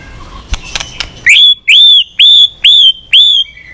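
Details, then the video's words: A many-voiced fighting song from a white-rumped shama, meant to rouse other shamas to sing and flick their tails. Faint clicks come first, then five loud, pure whistles, each rising and then levelling, repeated about twice a second. "Kích Chòe lửa Lên Lửa, hót nhiều, chòe lửa đánh đuôi kích cực nhạy.luyện chòe lửa hót nhiều giọng"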